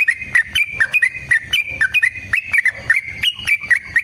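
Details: {'text': 'Yellow-vented bulbul in long, rapid fighting song, used to lure other birds into answering: quick chattering notes repeated about four times a second, each a short dip and lift, with a few higher bright accents.'}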